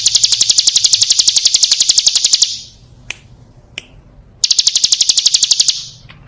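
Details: Calling female Bar-winged prinia played as a lure to draw males: a rapid run of bright, high clicking notes, then a quiet gap with two isolated taps, then the fast ticking series starts again.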